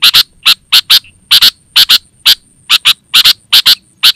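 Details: Sooty-headed bulbul in lively, vocal form, a lure call for wild birds and a master song for training: harsh, rasping notes mostly in quick pairs, repeated irregularly with short gaps, against a faint steady high hiss.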